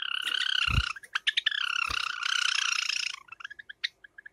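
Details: Pet Java sparrows in summer, a light silver ino and a sakura bird: long buzzy, harmonic churring notes broken by quick clipped chirps, with two soft thuds in the background.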